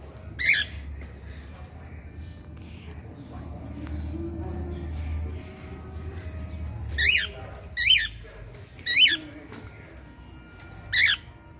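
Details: Pet cockatiel wanting to play with children gives five shrill, screechy whistled calls: one early, then after a pause four more about a second apart, over a low indoor rumble.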